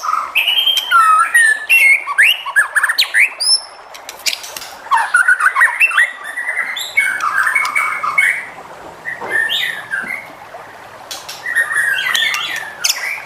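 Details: Varied, energetic song of a white-rumped shama, meant to prompt other shamas to sing: rapid sequences of whistles, chacks and buzzy trills in dense bursts, with brief pauses between phrases.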